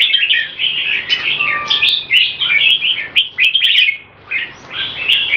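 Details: Rapid speed-action singing from two caged Olympian-class red-whiskered bulbuls: quick runs of sweet whistles and harsher chattered notes, a brief steady tone, then a clear pause before the warbling resumes; occasional sharp clicks.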